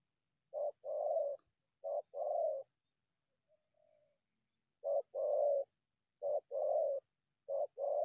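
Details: Coming in from scrub to confront a decoy, a wild spotted dove repeats low, rough coo phrases, each a brief note followed by a longer one, with a quiet gap and a faint soft coo midway.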